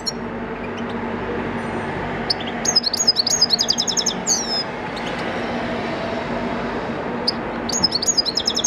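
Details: European goldfinch bred in a cage in 2014, natural training recording: bursts of bright, rapid twittering and buzzy slurred notes separated by quiet gaps, with a constant low mechanical rumble beneath.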